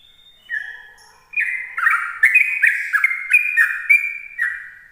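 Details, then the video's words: Sooty-headed bulbul singing in the morning in the rapid ropel style, used to lure other bulbuls. After a thin opening whistle, a fast run of bubbly, liquid notes steps down and up, about three each second, with no other sounds. "Suara Trucukan Ropel pagi"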